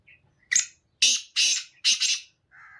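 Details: A Black francolin's song: a short harsh lead-in note, then four loud, raspy, grating phrases about half a second apart, ending on a softer tonal note, with nothing else audible.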